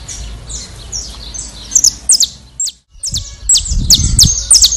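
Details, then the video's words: Saffron finch in Brazil, faint high notes followed by a brief silence and a louder series of sharp descending chips over low rumbling noise. "Melhor Canto Canario Canário da Terra do Brasil"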